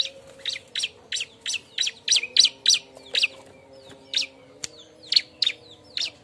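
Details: Bar-winged prinia calling loudly to find a mate: rapid, sharp, high chips repeated roughly three times per second, slightly uneven in spacing, over a low steady hum.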